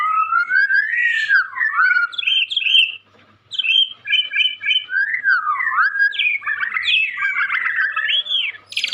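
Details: Young white-rumped shama, kept as a songbird in Indonesia, singing energetically. It delivers a rich, varied stream of whistled, warbling and rising-falling phrases with brief pauses, including one short gap near the middle. The background is quiet.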